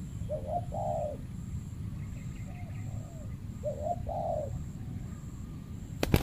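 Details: Territorial male spotted dove in a banana plantation, facing a trained decoy dove set out for trapping; a mellow, wavering coo phrase given twice about three seconds apart, with faint coos between, low background rumble and a sharp bang at the end.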